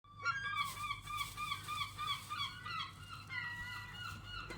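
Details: Several gulls calling loudly and strangely, a dense run of harsh, nasal, laughing notes repeated about three times a second throughout, with several birds overlapping and a low rumble beneath.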